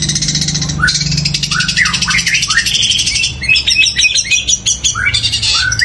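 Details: Long-tailed shrike (cendet) delivering loud, long fighting-style song that includes sparrow-like notes: dense high chattering with rising and falling slurred whistles, nearly continuous and harsh throughout.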